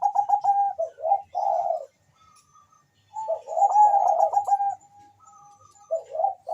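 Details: Bangkok zebra dove in full voice, a recording meant to spur mating drive and singing: rapid stuttering coo trills in three bursts, separated by a near-silent pause.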